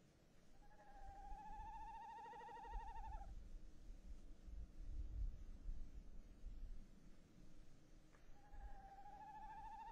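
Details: Male tawny owl calling from a nest box on 22 January 2018: a drawn-out tremulous hoot lasting about two seconds, then low rumbling and thumps, and another quavering hoot starting near the end.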